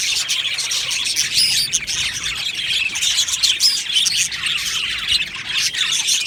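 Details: Aviary of budgerigars twittering as a group: sharp high chirps and quick warbled phrases overlap continuously, the flock noise rising and falling slightly over the clip.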